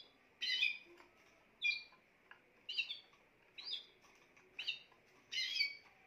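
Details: Song of a Spanish timbrado canary, delivered as separate short trilled and chirped phrases about once a second, bright and high, over a faint constant background tone.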